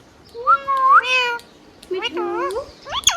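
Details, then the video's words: Tame pet green parrot talking indoors, a few drawn-out speech-like syllables with sliding pitch, then quick wavering notes and a rising squeaky phrase at the end. "Green Parrot Natural Sound | Hand tame Parrot Talking video | Mithu Tote Ki Awaaz | Talking Parrot"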